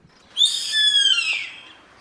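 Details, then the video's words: A wild yellow-headed caracara gives a single harsh, rasping scream. It starts high, holds briefly, then trails off downward over about one second against a quiet background. "GAVIÃO CARRAPATEIRO CANTO NA NATUREZA"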